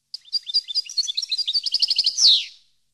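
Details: European goldfinch song for training captive birds: varied fluty and twittering notes flow into a rapid trill of evenly spaced chips, topped off by a loud descending buzzy note.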